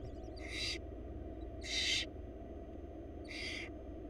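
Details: Hungry wild barn owl chicks in a Florida nest box, fed by their mother: three raspy, hissing shrieks, the middle one loudest, about a second and a half apart, over a low steady hum.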